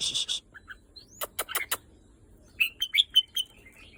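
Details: Red-whiskered bulbul after days pent up: a rasping rattle and sharp clicks, then a quick descending series of clear, bright whistled notes.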